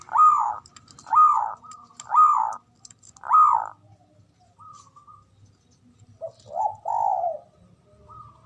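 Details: Male zebra dove ngoar manggung calling, used to stimulate mating arousal: four arched hoarse notes about a second apart, a quiet gap, then soft short coos ending in a longer drawn note.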